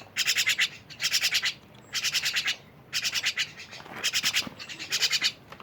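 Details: Scratchy, rasping rattles from a myna in clustered bursts of rapid pulses, pausing briefly between each run.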